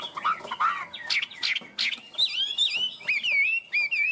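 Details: Tame Chinese hwamei kept in a cage, singing in the 'cao cầu' style: a few rough, varied notes, then smooth, wavy whistled phrases held high and rippling.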